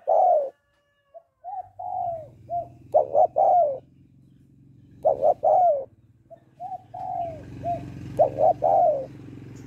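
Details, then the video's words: Spotted dove hen cooing to excite a male. Low hoots and clustered coos come in irregular bursts over a steady low humming rumble in the background. "Tiếng Cu Gáy Giọng Hạp BổI ĐỦ BÀI [ GÁY GỌI,THÚC,GÙ ]Kích Bổi Nhanh Nổi"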